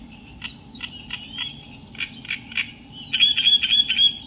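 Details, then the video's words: Reed warbler singing: spaced, dry chacking notes in the first half that build into a louder, faster grating chatter with a thin whistled element near the end. "Burung Kerak basi"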